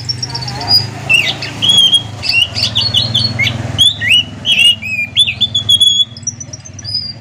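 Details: Orange-headed thrush singing in the morning, a lively rolling song: varied whistled and slurred phrases with quick high notes, dense runs mid-clip, over a low steady background hum.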